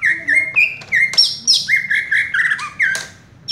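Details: Greater green leafbird (cucak ijo), a kept songbird described as perching in one spot, fast and tight singing: loud whistled notes sliding between middle and high pitch, strung quickly together with brief buzzy high flourishes, in a small room.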